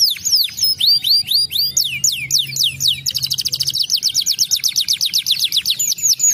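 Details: Canary song used to stimulate lazy canaries to sing: a run of high sweeping whistled notes, then a fast rattling trill of rapid repeated notes about four per second, with a faint low hum beneath.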